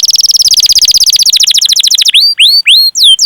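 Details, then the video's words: Canary singing a long, lively song used as a lure to train other canaries: a fast, even trill of high notes for two seconds, then separate loud whistled notes sweeping sharply downward. "Suara Burung Kenari Gacor Panjang cuit cuit Ngerol untuk Pancingan Kenari"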